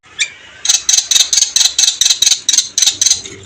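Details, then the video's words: White-eyed Javan myna in vigorous song with a rich learned repertoire, giving a fast run of harsh, rasping chatter notes repeated about four times a second, evenly spaced and loud throughout. "jalak kebo mata putih gacor isian mewah"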